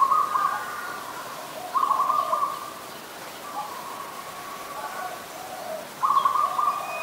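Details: Adult zebra dove in Ubon Ratchathani, Thailand, 28 December 2020: short bursts of rapid, staccato cooing notes, each burst about half a second long, at the start, near two seconds and near six seconds, with quiet between.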